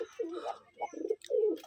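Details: Gerebaj pigeons at a Rajshahi farm in Bangladesh make three low, burbling coos, each a rolling throaty phrase separated by short pauses, with faint background noise.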